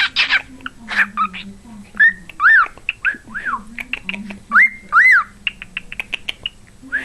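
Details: A pet cockatiel whistles Jingle Bells in clear, arching notes mixed with chattery speech-like sounds such as "pretty boy".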